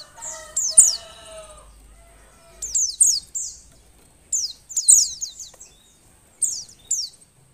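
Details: Female Oriental white-eye in breeding condition, calling to stir lazy males into song: thin, high, sharply descending slurred notes in quick clusters with pauses between, plus a few fainter lower whistled tones early on.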